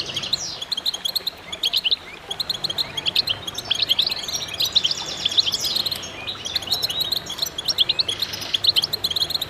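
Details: Chorus of goldfinches: overlapping rapid chirps, liquid trills and short wheezy slurs from many singers, sustained and lively throughout.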